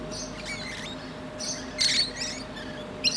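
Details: Musk lorikeet perched on a tree branch, resting and chatting to other birds: a few short, shrill screechy bursts, the loudest near the middle, with a steady low hum behind.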